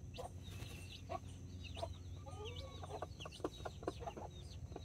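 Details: Nine chicks, four mini and five Brahma, with two mother hens in a Colombian backyard on October 24, 2024. Busy high chick trills and slurred peeps overlap with short hen clucks over a low rumbling background.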